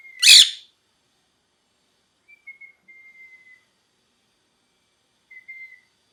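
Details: A single loud grating squawk from a pet parrot in molt, then scattered faint level whistled notes separated by silence.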